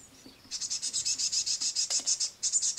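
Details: Great tit chicks at a window sill being fed crushed madeleines; a fast, even train of very high, hissy pulses, about seven per second, with a brief break near the end.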